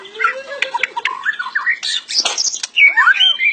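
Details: Captive white-rumped shama, a hobbyist's songbird that can copy other species, giving a jumbled mix of squawky slurred whistles, harsh buzzy notes and sharp chips, closing with loud swooping whistled phrases.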